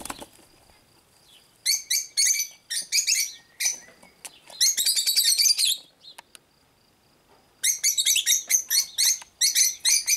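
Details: Several cockatiels calling in bouts of shrill rasping screeches, separated by quiet pauses, with a longer dense stretch of overlapping chatter in the middle.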